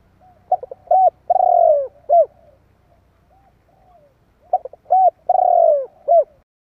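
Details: Spotted dove giving its provoking call to stir up other doves. Two quick coos lead into a drawn-out, descending rolling coo and a final clipped note. The phrase comes twice against faint low hum and echo.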